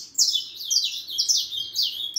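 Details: Harlequin saffron finch youngster, aged four and a half months, delivering a rapid tumble of shrill, downward-slurred chirps run closely together, almost continuous over two seconds, loud and bright against a quiet background.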